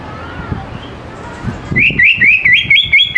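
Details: Greater green leafbird song used to lure young birds into singing: a loud run of repeated rising whistled notes, about two per second, after a quieter start with faint low thumps and a soft whistle.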